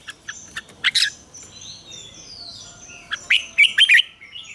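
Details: Morning song of a red-whiskered bulbul, double-note wild style, meant as a lure for training; quick bright chirps, then a cluster of loud rich warbled notes near the end, faint high twittering of other birds behind.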